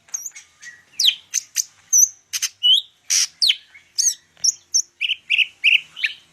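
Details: Greater green leafbird (cucak ijo) from Medan in full song, a rapid run of varied sharp chirps, whistled slurs and buzzy notes, high-pitched and densely packed, with mimicked phrases mixed in.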